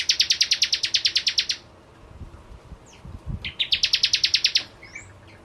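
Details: A bar-winged prinia (Prenjak Jawa) singing vigorously as a lure: two rapid trills of harsh, high, buzzy pulses, each about a second and a half long, with faint low rumbles and a brief note between them.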